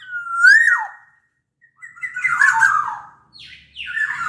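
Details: Large-bodied black-naped oriole from Sumbawa, singing eagerly as a lure for orioles that are slow to sing. A clear rising whistle ends in a quick drop, followed after a pause by harsher, rougher notes.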